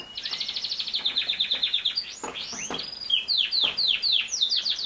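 A canary sings a fast, high rolling trill of about ten notes a second, then sweeping whistles and a run of quick descending chirps.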